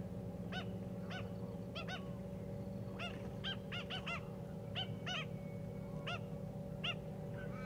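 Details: An Australian pied oystercatcher (Haematopus longirostris), foraging among stranded seagrass wrack in the shallows of Peel Inlet, south of Perth, Western Australia, gives short ringing piping notes singly or in quick pairs and triplets over a steady low rumble and hum.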